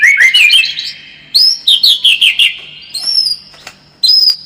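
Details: White-rumped shama song used as a lure to make the bird more combative; loud clear whistled phrases, some rising, with trilled notes and short pauses between bursts.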